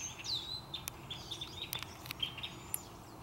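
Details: Little birds singing from a maple treetop as a storm approaches, Central Saanich, British Columbia, Canada, cloudy early afternoon; sharp descending whistles and short chirps, several clicks, rather quiet overall.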